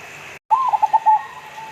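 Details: Local-type zebra dove (perkutut lokal) in full voice gives one rapid phrase of soft, bubbling coos, about five quick beats after a short upward-inflected first note, then fading into a low steady hiss.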